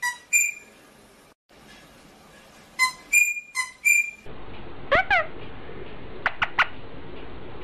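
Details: Rosella whistling clear, ringing notes in short repeated groups, followed by a few rising and falling whistles over steady background noise.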